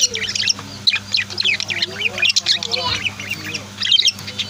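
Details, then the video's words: Indoor pet budgies and lovebirds produce a stream of high, scratchy chirps and some sliding, warbled notes lower down, with brief gaps and a constant low hum. "Sweet Bird Chirping Sounds | Relaxing Voice of My Pet Birds"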